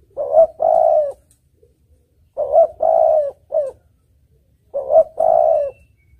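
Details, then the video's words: Spotted dove giving a clear, rich cooing song meant for luring birds. A short note is followed by a sustained rolling coo and sometimes a clipped final note, repeated three times at regular intervals of about two seconds. "Suara Burung Tekukur Merdu Jenih"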